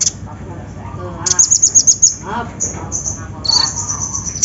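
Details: Konin, the olive-backed sunbird, in a lure recording to prompt singing: a rapid high-pitched trill of thin notes, then longer high tones, with softer lower warbled phrases behind.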